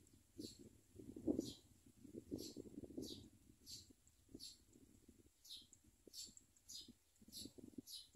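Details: At a nest where adult common mynas bring food to their young, thin high chirps repeat roughly twice a second over a low, uneven murmur of background noise.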